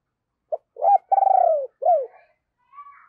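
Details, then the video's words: Decoy spotted dove, low hollow voice, cooing to excite wild doves: a short pip, a rising coo, an extended pulsing downward purr and a closing falling coo, then soft distant chirps. "Chim Cu Mồi Gáy Gọi Và Thúc Giọng ỒM ỒM"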